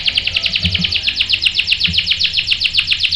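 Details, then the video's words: Canary singing as a bait recording for males: a steady, rapid rolling trill of bright, sharp pulses repeated throughout, with a few faint low knocks beneath. "PANCINGAN KENARI GACOR bikin EMOSI jadi NYAUT GACOR NGEROL | CANARY SINGING"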